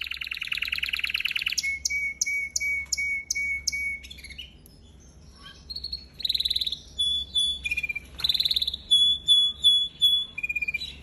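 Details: A canary sings as part of song training, alternating fast buzzy rolls with series of clear piping notes repeated about three times a second, several tours at different pitches separated by brief pauses, over a quiet low hum.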